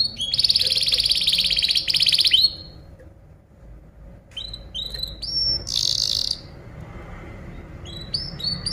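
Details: Masteran tutoring song of a canary, played for other birds to copy: a loud, dense buzzy trill for two seconds, then a quiet gap, then scattered upslurred whistles and a brief harsh burst.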